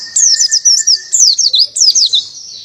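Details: Buxton's white-eye delivering a canary-style tembakan song. Three rapid volleys of high, slurred down-sweeping whistles come at about half-second intervals over a faint steady lower tone.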